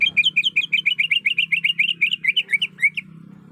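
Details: A female greater green leafbird in breeding condition calls for a male with a rapid, steady stream of roughly twenty-five clear, rising-and-falling chirps that fill three seconds and then cut off, leaving quiet.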